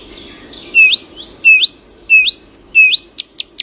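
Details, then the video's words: Birdsong at early morning made of repeated rising whistled slurs, four in a row at steady spacing, closing with three short high clicks. "Early morning: birdsong."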